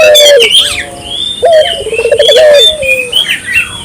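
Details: Barbary dove calling vigorously: a low coo that drops at the start, then a longer rolling, pulsing coo. Sharp whistles and chirps from other birds sound above it.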